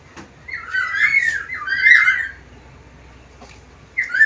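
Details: Black-capped lory, a parrot described as lively and able to talk with varied sounds; two drawn-out, slurred whistled-squawk phrases with a noisy buzzy edge, a short pause, then a fresh harsh call starting at the end.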